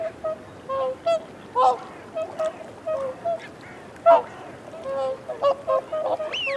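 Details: Whooper swans feeding on a bank give soft, bugling close-up and reassurance honks, several birds overlapping at mid pitch, in short bursts every second or so, some notes rising at the end.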